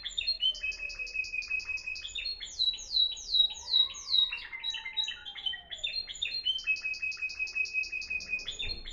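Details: Discontinuous song from a Moroccan Timbrado canary, 2021: rapid bursts of clipped notes and steeply falling whistles, with a faint low rising and falling whistle behind.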